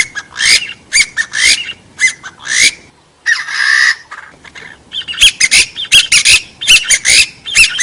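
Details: Partridge (gà so) call, recording cleaned of background noise, used for hunting and trapping forest birds: harsh, rasping bursts with short rising squeals, delivered in uneven clusters, a longer buzzy burst midway, then rapid repeated notes.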